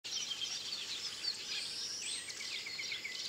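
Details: Village weavers of subspecies graueri in Rwanda's Akagera National Park, March 2013: a dense, continuous chatter of buzzy, scratchy notes and sizzling trills, many voices overlapping without pause, with brief sharper chirps standing out.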